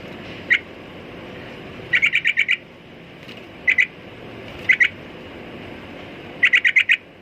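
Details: Sooty-headed bulbul giving short, harsh chirped notes in quick bursts: a single note, then runs of four to five rapid notes, repeated several times over a few seconds against a low steady background hum.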